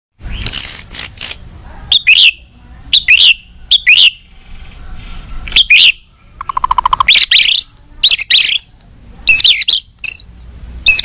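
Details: Agitated white-rumped shama singing to provoke other shamas into answering: loud bright phrases of high whistles, quick downslurred notes and a lower buzzy trill in the middle, given in bursts separated by short pauses.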